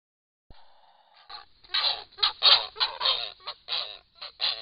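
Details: Grey herons nesting at Hen Reedbeds, parents tending young; a thin drawn-out tone opens, then rough, grating squawks follow in quick succession, growing louder.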